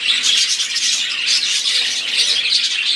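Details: Short burst of budgerigar flock song, overlapping chirps and bright whistled notes forming a lively, scratchy chatter.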